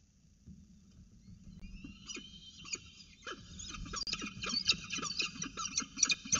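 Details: Peregrine falcon chicks in a nest box at Orange during the first feeding of the morning, 9.36 am, 29 October 2018, as an adult brings prey. High, harsh, harmonic calls start after a quiet second and build into dense, rapid, irregular repeats.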